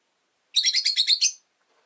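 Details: Rapid run of about eight shrill, scratchy chirps, close together and lasting under a second, from orange-faced, green-bodied rosy-faced lovebirds in a window-side cage holding five birds.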